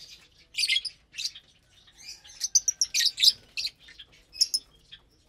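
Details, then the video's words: A flock of lovebirds chatters during morning feeding on fresh vegetables and a millet seed mix. Loud, harsh, high chirps come in rapid clumps, then fade to softer twitters. "Lovebirds Meal Time"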